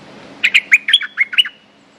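A streak-eared bulbul gives a quick run of about six bright, chattering notes in one second, ending in a thin whistled tail.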